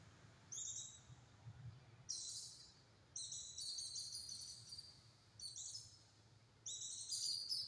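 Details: White-eye song with tight, rapid bursts, used as a tutor recording for other birds: five high, thin, twittering bursts, each about one second long, separated by short pauses, over a faint low hum.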